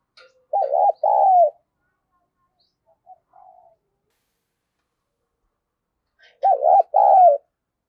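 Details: Female spotted dove cooing to excite males repeats a two-part phrase, a quick undulating note then a fuller drawn-out coo, twice about six seconds apart, with soft faint notes in the gap.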